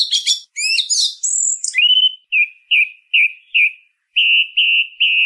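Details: Song thrush opening with scratchy chattering notes and a thin high whistle. It then settles into a mellow short note repeated about seven times at a steady pace.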